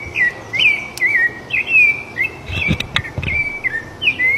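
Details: Free-living rufous-bellied thrush in full song, repeating short fluted phrases that swoop up and down, closely spaced, with scattered clicks and soft low background noise.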